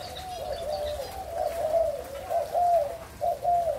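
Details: Spotted dove of a Malaysia-Thailand line, recorded 27 September 2022, giving a clear run of soft, mellow coos. The notes are low, rounded and linked into a rolling phrase, and each swells and fades before the next.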